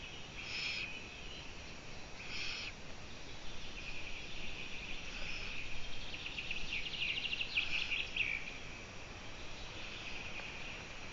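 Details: Eurasian eagle-owl on a live nest camera, 14 June 2017 at 04:49; two short harsh, hissing rasps early on, then a fainter rasp mixed with a buzzy trill, over steady low background noise.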